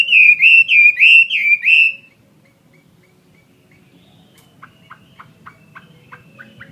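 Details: Chinese hwamei, a caged fighting-type bird, giving six loud, slurred whistles in about two seconds, then near silence with faint, evenly spaced ticking notes.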